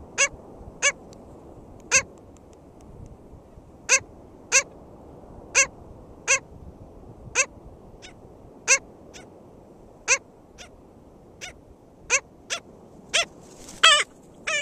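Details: Black skimmer at an uncommon nest at St George State Park, Florida, on 22 June 2013 gives short, nasal, barking yaps, about eighteen in fifteen seconds at an uneven pace, over a low rumble of wind or surf.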